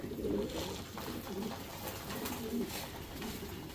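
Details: Racing Homer pigeons, a domestic breed, in a breeding section, giving low murmuring coos in short phrases amid steady room noise and faint clicks.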